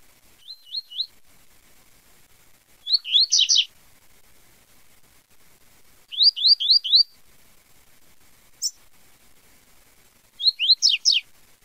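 Double-collared seedeater singing high, clear phrases of quick rising slurred notes, given in short bursts about every three to four seconds, with a quiet background.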